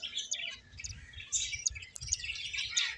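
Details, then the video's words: A rapid, continuous chatter of high chirps and tinny twitters from finches at play, notes overlapping closely. "Cute Birds Chirping Sounds | Beautiful Finches Playing"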